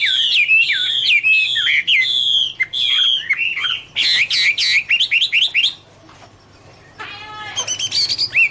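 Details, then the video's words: Autumn singing of the Chinese hwamei: bright fluty whistles and rapid trilled notes for about six seconds, a silent pause, then a few fainter notes resume. "" Autumn Love Song " Bird Garrulax canorus Singing- Birdsong"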